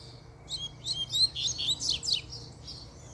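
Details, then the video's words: Caged double-collared seedeater singing excitedly after a female appears: rapid run of high, sharp, buzzy and sweeping notes, a dense burst in the middle, over a faint low steady hum. "A FÊMEA APARECEU O COLEIRO ENDOIDOU!!!"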